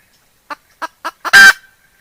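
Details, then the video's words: Decoy hen giving a kataak cackle, 2021: four short clucks about a third of a second apart, rising in strength, then one loud harsh drawn-out squawk; otherwise quiet. "เสืยงไก่แม่ต่อร้องกะตากต่อเข้าดี100% suaj poj qaib dib tsauj cuab tuaj zoo"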